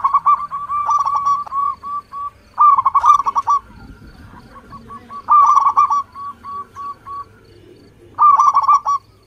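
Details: Local-type zebra dove song used as a lure to set other doves singing: bursts of rapid, rolling cooing notes alternate with evenly spaced short clipped coos, in about four phrases across the stretch.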